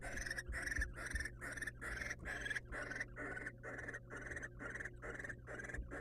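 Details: Wild barn owls in a monitored nest box as the male brings a mouse to the female: harsh, breathy hissing screeches in quick succession, about two per second, over a steady low electrical hum with soft bumps.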